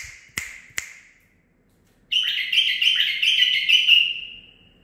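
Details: Two sharp ticks open the recording, then after silence a nine-month-old male bulbul pours out a long, rich warbling phrase of over two seconds that tapers away.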